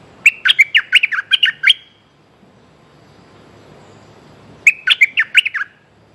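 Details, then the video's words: Streak-eared bulbul, used as a lure bird, calling for a mate: two quick bursts of sharp, bright chirps, about ten notes each, separated by a few seconds of quiet. "Suara pikat merbah lekir"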